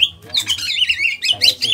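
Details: Greater green leafbird from Kalimantan, small body, in ngentrok song: a short, continuous, rippling warble of fluid whistled notes that dip and rise, with a low hum underneath.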